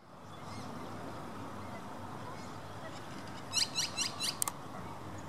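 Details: An American coot with orange-headed baby chicks. After a quiet stretch, four short, sharp, high calls come in quick succession near the end, over a soft steady background.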